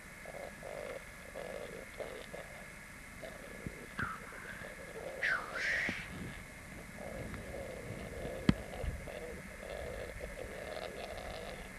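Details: Three rackelhahn hybrids (black grouse × capercaillie) fighting on a black grouse lek, 1 May 1994, Landvik, Grimstad, Norway: low, steady lek bubbling throughout, broken midway by harsh, rasping hisses and one sharp click.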